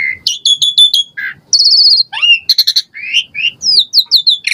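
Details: Asian pied starling in full varied song, played to encourage caged birds to sing: rapid high chattering, buzzy trills, sweeping whistled slurs and harsh notes in quick succession.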